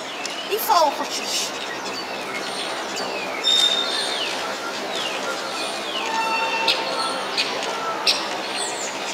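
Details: Common starling (Sturnus vulgaris) at Station Bijlmer on 17 January 2015 calls: rambling clicks, rattles and thin whistles sliding up and down, with a sharp tone or two. Faint talking may sit underneath.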